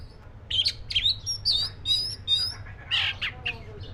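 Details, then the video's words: Rapid string of high, thin whistled chips and short trills from a black-breasted oriental magpie-robin, delivered in quick succession, with a faint low hum underneath. "SUARA BURUNG KACER (DADA HITAM)"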